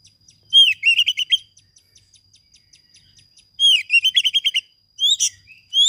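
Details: Master song of an Oriental magpie-robin, used to trigger singing in quiet birds: a clear upward whistle opening a rapid stuttering string of chirps, repeated twice, then single sharp whistles.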